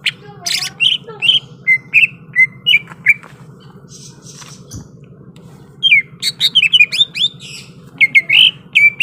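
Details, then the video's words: Greater green leafbird singing, said to be ready to fight: a harsh burst then a string of short sliding whistles, a quiet gap, then a rapid jumble of twisting whistled notes and chips, over a steady low hum. "SUARA BURUNG CUCAK IJO SIAP TARUNG"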